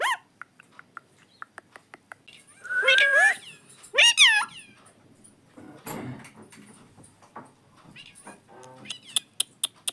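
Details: Pet parrot indoors, talking nonstop and saying "mummy": sharp tapping clicks, then two loud harmonic voiced calls, one wavering and one sweeping up and down, followed by more scattered clicks.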